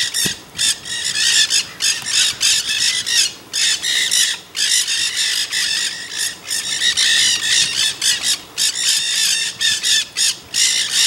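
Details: Nanday parakeets chattering in the Santa Monica Mountains near Los Angeles, California, filmed 24 October 2020: dense overlapping harsh squawks and screechy notes in rapid bursts, almost continuous with brief gaps.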